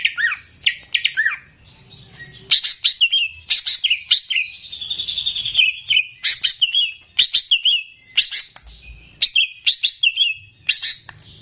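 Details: Greater green leafbird, a kept bird singing energetically, used to draw out song in untrained birds. A long run of bright whistled slurs, clicks and a brief trilled note is repeated in rapid, busy phrases.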